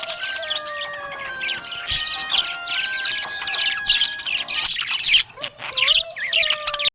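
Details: Happy budgerigar chirping in a dense, busy stream of high squeaky chirps and quick warbled notes, with a song playing underneath carrying sustained melodic tones that drop out briefly near the end.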